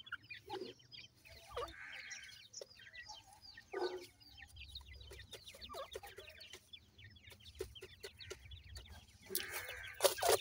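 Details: Irani teetar chicks, the grey francolin, give a long run of quick high peeps, each sliding downward, mixed with many sharp tapping clicks and a burst of scratchy noise near the end.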